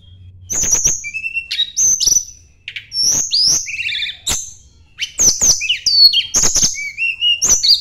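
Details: Sunda blue robin singing as if seeking a rival: varied high whistles, sharp downward slurs and rising notes, delivered in lively bursts with clicks between phrases.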